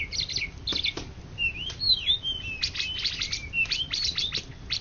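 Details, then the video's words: Champion cucak ijo (greater green leafbird) from Indonesia, 2013–2014, gives bright high chirps, then long slurred whistles sweeping down and up, followed by dense clusters of sharp notes, with faint low hum behind. "Cucak Ijo Juara satu se Indonesia Raya 2013 2014"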